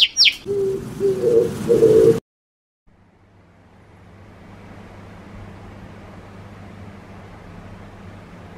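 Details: A pet Java sparrow courting while being petted gives a sharp, high, falling chirp, then soft low cooing notes for about two seconds, followed by quiet room hum.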